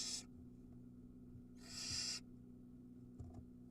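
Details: Ram-on, Israel barn owl chick begging near feeding time: a short hiss ending, then one drawn-out harsh hissing screech, followed by faint shuffling against a low continuous hum.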